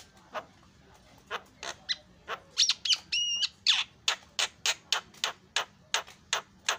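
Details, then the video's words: Javan myna (jalak kebo) giving short harsh squawks repeated about three times a second, broken by a brief looping whistle and squeaky notes, over quiet low background noise. "FULL MASTERAN KICAUAN JALAK PALING YAHOOD"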